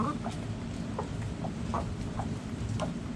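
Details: Backyard hens clucking: short soft clucks repeated roughly every half second over a steady low rumble of background noise.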